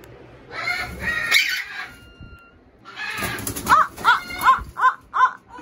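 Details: Pet Amazon parrots in their cages after dinner, reacting to their owner wearing a Darth Vader mask, give harsh, squawky calls, then a run of five or six short, rising nasal notes about every half second, with a person talking over the start.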